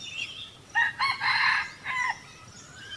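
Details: Wild red junglefowl during decoy trapping in 2020, when two birds came in: a loud, broken crow of several harmonic bursts, a short opening note, two quick syllables, then a long drawn phrase and a falling end note, over a faint insect hum.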